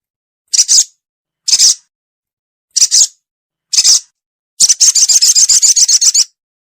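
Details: Ruby-cheeked sunbird lure call used for bird trapping: four short, very high, thin chirping bursts about a second apart, then a rapid run of a dozen sharp high notes in a quick trill.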